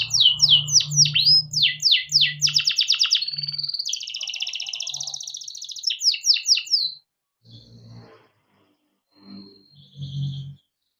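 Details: Caged canary rolling its long song as a lure for training young birds; quick downslurred whistles and a steady buzzy trill for about seven seconds, then near silence with faint low thumps.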